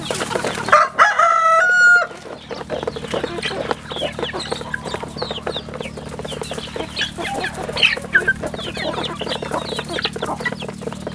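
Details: Chicks at a rural chicken farm: a loud, clear drawn-out adult call opens, then dense rapid high peeping from many chicks continues over a low hum.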